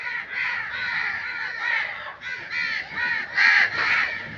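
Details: Continuous chorus of rough crow caws in nature, overlapping calls blending into a nearly unbroken harsh stream with louder notes near the end.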